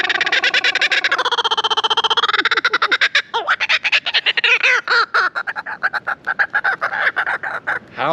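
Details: A trained kookaburra at Croc World, South Africa, which flies out of its enclosure, laughs: a fast, buzzy rattle swells into loud, rolling hoots and cackling ha-ha notes, repeated rapidly over eight seconds.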